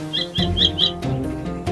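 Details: A Common kestrel, one of two hunting over a vole-rich patch in a residential park, gives four short, thin, high whining notes in quick succession over a low background rumble.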